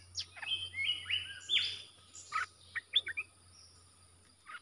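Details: Bulbul singing for the training of young birds: drawn-out whistled notes sliding upward, then short sharp chirps, with a steady high whine in the background.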